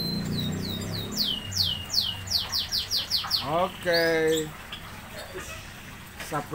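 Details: Lovebirds being paired as mates in Bandung: a fast chattering run of high, downslurred chirps repeated several times a second, followed by a few lower harsh notes and background hum.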